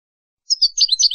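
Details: European goldfinch tutoring song for young birds from an Andalusian Hunting Federation CD: a brief burst of a few liquid, twittering notes after a short silence.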